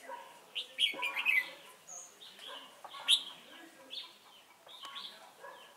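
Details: Red-whiskered bulbul serving as a trapping decoy at Chùa Hương on 28 November 2017; a rich warbled whistled phrase near one second, a sharp high note at three seconds, and scattered clicks and softer calls.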